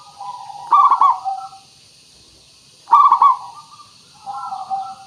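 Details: Zebra dove song, a local bird used as a lure to prompt other doves to call: two loud rattling cooed bursts about two seconds apart, each trailing into softer lower notes, with constant background hiss.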